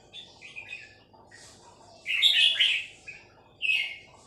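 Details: Three-syllable song of a female red-whiskered bulbul: faint chirps at first, then one loud, rich warbled phrase in the middle and a shorter bright phrase near the end, over steady low background hum.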